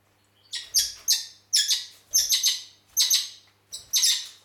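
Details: Red-rumped parakeet from Heraklion, Crete, giving bright, high chirping notes in quick pairs and triplets, each phrase a burst of sharp warbled syllables repeated roughly every half second, in a quiet indoor setting.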